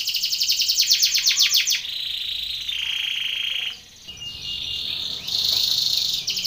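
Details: Belgian canary training song for contests: rapid loud pulsed trills give way to lower sustained rolls, a short quiet gap, then bright buzzing tours resume and end in quick stuttering notes.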